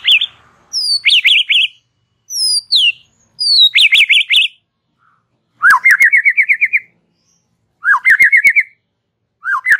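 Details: White-rumped shama singing a relaxed chatter: high whistles leading into zigzag warbled phrases, alternating with rapid rattling trills repeated every two seconds or so.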